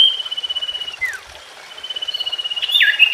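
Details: Common iora song for getting a silent or untrained bird singing again: an even, rapidly pulsed trill slides down at its end, a quiet pause follows, then a second trill breaks into warbled chirps.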